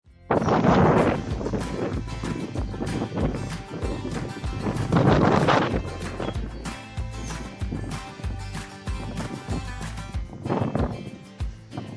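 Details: Music with steady low percussive beats and dense mid-range tones fills the recording, with no clear animal voice.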